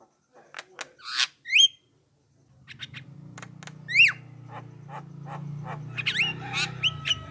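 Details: Javan myna singing, used as a lure so other mynas answer and sing. Sharp clicks and harsh bursts, then rising whistled upslurs around the fourth second, with a low steady hum underneath in the second half.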